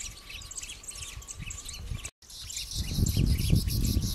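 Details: Citron-headed yellow finch, a pair and flocks filmed at Yavi, Jujuy, in May 2015 during courtship and feeding: many thin, high chirps tumble rapidly over a steady low rumble, with a brief gap midway.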